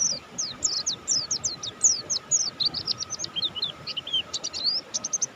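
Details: Energetic song of a buxtoni mountain white-eye: quick high descending notes at first, then tight clusters of twittering chirps, all delivered continuously over a low steady hum.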